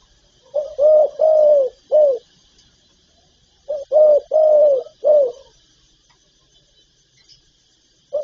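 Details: Spotted dove song, part of a full set of calling, urging and cooing styles: the same four-note phrase of low hoots, third note longest, given twice about three seconds apart, with a final note starting.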